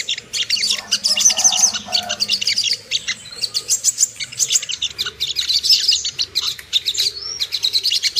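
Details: Sunbird lure, Ruby-cheeked, played to make birds aroused and aggressive: bursts of shrill high chirps and trills overlapping densely, with a soft low rumble beneath.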